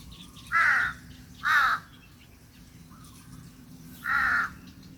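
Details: Birds around a small rice-field hut under a breezy sun; three loud hoarse caws, two close together then one after a pause, with quiet chirping behind.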